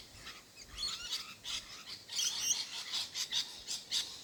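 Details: Wild rosellas in Australia giving a run of high, sharp chattering and whistled notes, repeated rapidly and overlapping through the recording, with a soft outdoor background.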